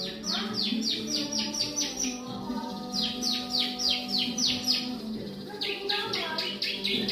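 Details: Bar-winged prinia of the crystal and brown varieties, a kept songbird, singing rapid series of bright downslurred chirps in bursts of six to eight, with short pauses, over a steady tonal background hum.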